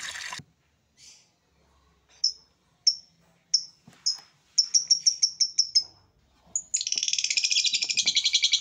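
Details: Masteran recording used to train songbirds: an abrupt high burst, a pause, then single thin downslurred whistles spaced under a second apart, a quick stuttering string of them, and finally a dense, buzzy high trill of rapid chirps.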